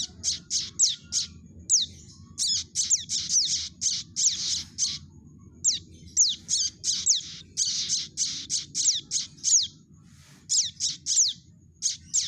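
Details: Young prinia calling, a recording played as a trapping lure: dense runs of high, down-slurred chirps, some harsh and buzzy, coming in clusters with brief pauses; steady low background hum.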